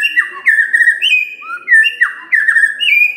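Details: White-rumped shama morning song, used to provoke a quiet bird into singing: clear whistled notes, some sliding down, others level, in overlapping phrases about every half second, with softer high twitters in the background.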